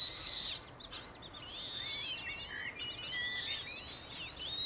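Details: Eurasian coot family, an adult and five chicks, in Beverwijk, the Netherlands: a dense jumble of high, thin, sliding whistles and short chirps, some looping up and down, continuing throughout.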